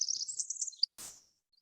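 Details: A Pacific Wren singing in California: very high, rapid tinkling trills tumbling up and down in pitch for almost a second, followed by a short burst of noise.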